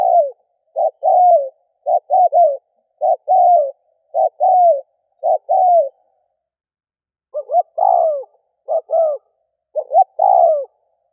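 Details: Spotted dove decoy call for provoking wild doves: rapid run of short doubled coos with downward-sliding croons, a gap of about a second, then a rougher, slightly louder burst of stuttering coos.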